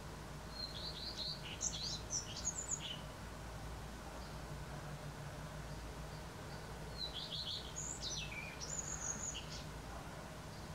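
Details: A common redstart sings in western Poland on an April 2020 morning, giving two phrases about six seconds apart, each a high opening note followed by jumbled twittering and slurred high notes, over a constant low drone.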